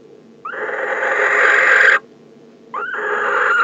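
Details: A male barn owl at a nest box calls to the arriving female in December, giving two harsh, hissing screeches, the first about one and a half seconds long, the second shorter, separated by a brief pause.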